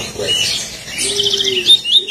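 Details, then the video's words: Lined Seedeater of the 'tui tui' song type sings a quick burst of high, bright chirps and buzzy trilled notes, with a faint low hum and a hint of speech underneath. "Bigodinho pintado tui tui"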